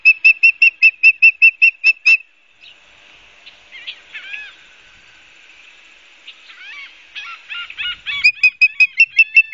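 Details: Osprey at a New Jersey nest in Barnegat Light, September 12, 2022, on a live cam. A fast burst of about eleven shrill chirps, a quieter stretch of softer, varied twittering notes, then another rapid chirping series.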